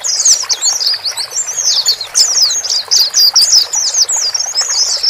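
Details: Male and female white-eyes calling, used to help a newly bought bird settle alone in a new cage; dense high, thin twittering chirps and quick slurred notes run almost continuously, over a steady soft hiss.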